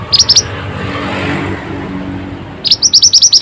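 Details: Pied bushchat singing vigorously, played to revive birds reluctant to sing: a few high, sharp upswept notes, a pause, then a quick series of about eight evenly spaced notes.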